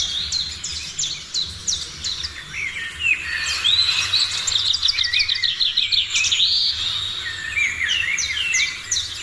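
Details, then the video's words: Several birds singing at morning, with rapid series of sharp descending chirps, a fast trilled phrase in the middle and scattered whistles throughout, a steady low hum beneath. "Morning sounds of birds"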